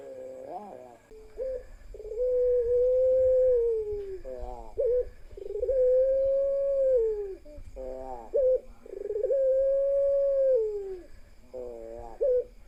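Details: Ringneck doves of the pelung type, a group with a single female: three long drawn, slightly arching coos, each followed by short stuttering trilled notes, with a low rumble of background noise underneath.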